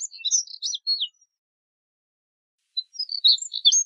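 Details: Two short bursts of high, scratchy twittering from a Moussier's redstart, separated by a long silent pause, each a quick jumble of chirps and thin whistled notes.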